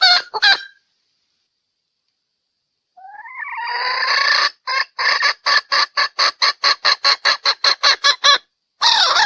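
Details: Female Sumatran red junglefowl calling as a lure: brief clucks, then a rising, strained cry that swells and breaks into a rapid cackle of about fourteen sharp, evenly repeated notes, ending in a harsh wavering squawk.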